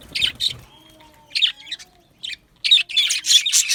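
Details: Yellow male budgerigars in an aviary colony give short bursts of bright, scratchy high chirps and squawks, separated by brief pauses, with a faint low whistle-like tone in the background.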